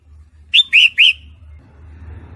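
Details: A female red-whiskered bulbul in breeding condition calls the male with three quick, rich slurred whistles over a steady low rumble.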